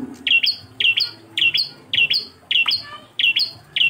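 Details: Engkel-style Bar-winged prinia song: crisp, high two-note chirps, the second often echoing the first, pairs spaced evenly every half second or so over a quiet background.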